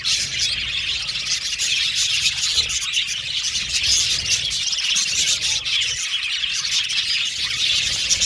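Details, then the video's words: A crowded budgie aviary chatters steadily: overlapping shrill chirps, squeaks and warbled notes from numerous parakeets blend into one unbroken high-pitched murmur. "Beautiful Budgies Chirping Sound"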